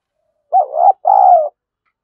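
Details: Decoy spotted dove cooing to lure wild doves, thổ voice style: one clear double coo, the first part short and dipping, the second longer and evenly sustained, with silence around it.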